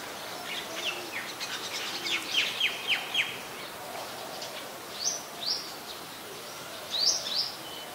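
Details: White-vented myna in Ubon Ratchathani, Thailand, on 18 January 2021: a run of sharp downslurred whistled notes roughly every third of a second, then a few loud rising chirps, over steady outdoor background hiss.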